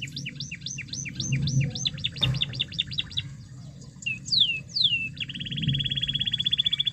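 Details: Canary song meant to trigger singing in a quiet canary: quick repeated hooked chirps, a sharp click, a pair of downward slurs, then a long buzzy rolling trill.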